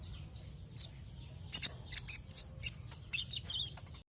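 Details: Kolibri ninja sunbird lure song meant to set other birds singing: sharp high tweets and brief twittering notes spaced irregularly, ending in a quick triple chirp, with a steady low background hum.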